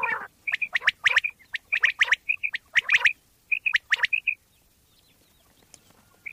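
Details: Common quail from Pakistan, a recording meant to attract quail for hunting. Rapid bright paired pips and sharp ticking clicks for about four seconds, then near silence with one last faint note.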